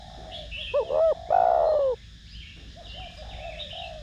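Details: Spotted dove singing the 'thổ đồng' style to excite other doves. A crisp phrase of two short coos and a longer, falling hollow note is followed by soft muttered cooing, with faint high bird chirps behind.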